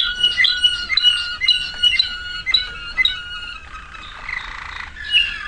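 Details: Waterslager canary song made of clipped, bell-like notes repeated about twice a second, then a dense, watery burbling passage and a final bright flourish.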